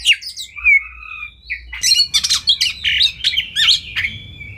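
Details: Kacer, Oriental magpie-robin, in a champion masteran recording: sustained whistled notes give way to a busy run of chirps, squawks and buzzy trills over a faint background hiss.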